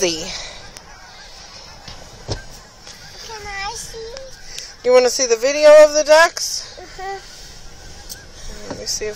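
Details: Nasal, wavering goose honks in short bursts, loudest as a cluster of repeated calls midway, from a large flock fed by visitors at an aquatic center in Hereford, Texas; people talk in the background.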